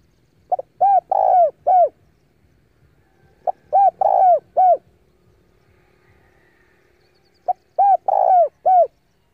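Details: Spotted dove decoy bird giving its cooing challenge to draw rival doves in for a fight. Three similar phrases, each of a quick pickup note, arched coos and a drawn-out burry coo, spaced about three seconds apart.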